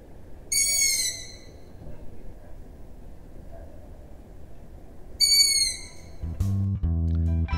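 Two drawn-out, squeaky, slightly falling calls from a young Long-eared Owl begging for food, about four seconds apart, followed by music at the end.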